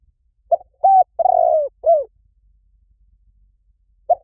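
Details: Spotted dove call used as a lure: a short opening note, a clean coo, a long vibrating falling coo and a drooping final note. Silence follows, then one soft note starts the next phrase.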